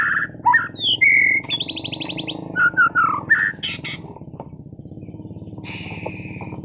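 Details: Caged white-rumped shama of contest class in Sragen singing varied phrases: a rising whistle, a buzzy trill, short slurred notes and harsh bursts, against a persistent low indoor hum.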